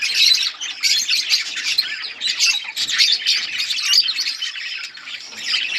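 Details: Eating budgerigars in a colony keep up a busy, continuous chorus of shrill chirps, squawks and fast warbling trills, rising and falling in loudness.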